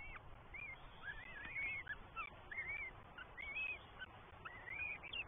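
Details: Three young Northern goshawks begging at feeding time in their New Forest nest, England, 20 May 2023, recorded by nest camera: short, curved whistled notes, some upslurred, some dropping, scattered every half second over hiss.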